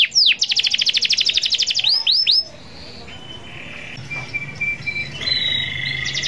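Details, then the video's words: Canary song meant to call rivals: a fast buzzy trill opens, then sharp upswept whistles, followed by quieter scattered thin notes and a soft background hum. "KENARI GACOR NGEROL PANJANG MEMANGGIL LAWAN"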